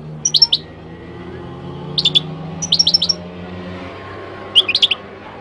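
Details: Singing Moroccan goldfinch, Morocco, giving four quick bursts of clipped, tinkling chirps, each a tight run of high notes, against a soft low drone.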